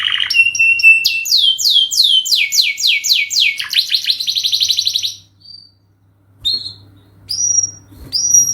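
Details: Canary in full song, used as a training lure: about five seconds of loud, rapid descending whistled sweeps repeated about four per second, ending in a fast buzzy trill, then a pause and a few short high whistled notes.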